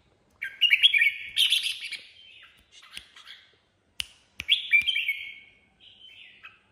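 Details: Owned red-whiskered bulbul singing an improvised 'ché' style song: bright, slurred, chattering warbles in short bursts with brief pauses, interrupted by a few sharp clicks, ending in a softer trailing phrase.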